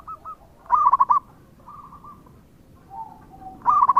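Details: Local zebra dove, a keen singer played to lure other doves into answering. There are two loud, rapid rolling coo phrases, with quieter stuttering coos and a faint low drawn note between them.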